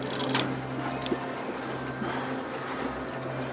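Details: A steady low electrical hum fills a small indoor room, with faint scattered clicks and soft mechanical noise and no animal voice.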